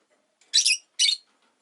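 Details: Pet rosy-faced lovebird on a relaxed afternoon gives two harsh, buzzy chirps about half a second apart, high-pitched and rasping, with quiet surroundings otherwise.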